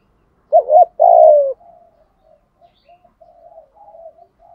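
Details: A lure spotted dove calling wild doves gives one loud phrase, a warbled note then a longer downward coo, followed by a series of much quieter, soft murmured coos.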